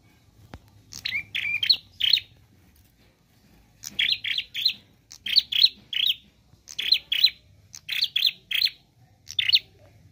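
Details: Prinia singing actively in 'gacor' style with 'nembak' variations: repeated quick bursts of two to four sharp, buzzy chirps, coming in fast runs with short gaps for about ten seconds.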